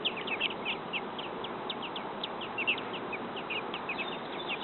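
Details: Begging from a brood of baby robins a few days old, nest built by their mother in a backyard, waiting to be fed: dense, high-pitched peeping notes in quick irregular succession, with constant low hiss.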